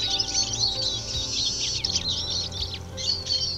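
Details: Eurasian siskin, a small finch often kept in captivity, giving a dense high twittering of thin chirps and short trills, nearly continuous, over a steady low hum and faint background music.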